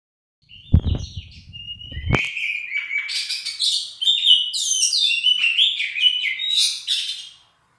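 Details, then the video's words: Oriental magpie-robin singing in a warming-up session: two loud low thumps open, then a rich, fast run of varied whistled and chattering phrases, high and sweet, continuing steadily for about five seconds. "Kacer Jabrix 99 Pemanasan"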